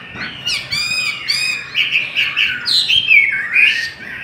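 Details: Chinese hwamei in a singing contest, harsh buzzy repeated notes opening into long fluid whistles that slide up and down.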